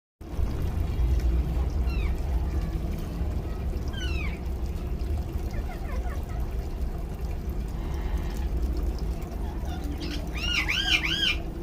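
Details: Rose-ringed parakeet kept as a pet, calling while taking a shower: short rising and arching squawks, sparse then a loud looping burst near the end, over steady pouring water.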